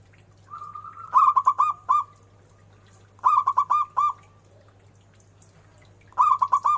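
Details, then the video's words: Zebra dove repeating its phrase three times, roughly every two to three seconds. Each phrase opens with a short level note and then breaks into five or six rapid, ringing, stuttered coos. A steady low hum is present. "Suara burung perkutut"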